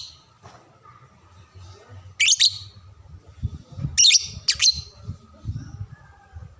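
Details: Lovebird tutor recording used to teach young birds to sing: three loud, sharp high chirps in separate bursts over a low rumbling background.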